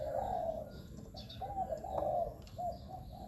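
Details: Spotted dove calls for luring wild doves with ground, branch or trap-cage decoys; soft low coos repeat through steady background hiss and a faint high whine.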